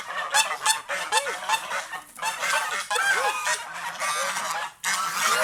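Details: A flock of pet geese enjoying nature in the fields by the house; continuous harsh honking and gabbling, with several curved, up-and-down honks and a brief pause near the end before the calls pick up again.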